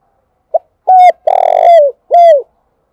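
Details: Lure spotted dove giving its calling coo. A single loud phrase: a brief soft note, a steady hooted coo, a long rough purring note that slides down, and a final downslurred coo.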